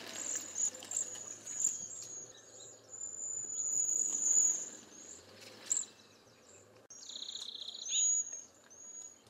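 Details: Cedar Waxwing in eastern North America giving sibilant, very high drawn-out whistles that run almost continuously, and a brief lower buzzy trill near the end over a soft low hum.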